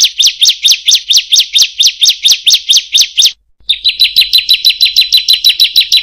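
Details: Bar-winged prinia rolling song in the 'tembak' and long 'panjang' style: about four or five crisp, sweeping chirps per second for over three seconds, a short break, then a quicker run of bright repeated notes.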